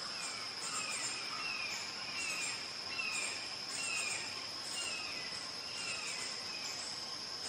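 Red-shouldered hawk giving a steady series of high, down-slurred screams, about one each second, over a constant shrill drone of insects.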